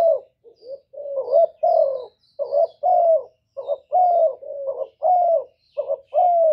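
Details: Spotted dove cooing for use as a lure to make doves sing, soft opening notes building into a regular run of rich rolling coos with falling ends, faint high bird chirps scattered above.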